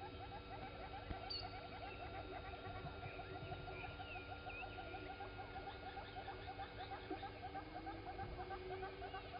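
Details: Southern red-billed hornbill walking near Gowrie dam, Sabi Sand, South Africa, 07:53 on 16 September 2020: a long, rapid series of low clucks runs throughout, overlaid by thin high chirps from other birds and a steady electrical hum.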